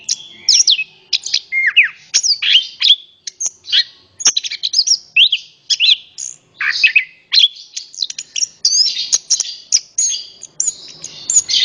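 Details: Orange-headed thrush delivering its full song as a prompt for other birds: fast, energetic sequences of sliding whistles, trills and crisp high chirps, closely packed throughout.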